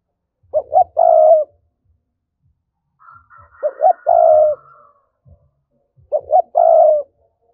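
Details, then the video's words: Urging 'thúc' coo of a spotted dove, played as a lure to excite wild doves for trapping: three mellow, low coo phrases about three seconds apart, each with quick lead-in notes and a drawn-out final coo, and a faint higher tone behind the middle one. "Giọng cu gáy thúc hay, anh em mở lên kích bổi rất hiệu quả"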